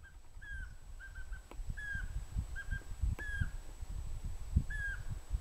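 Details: Pygmy owl giving short, clear whistled notes, each falling slightly at the end, some in quick pairs or triplets, spaced irregularly over a steady low rumble of background noise and a faint constant high tone.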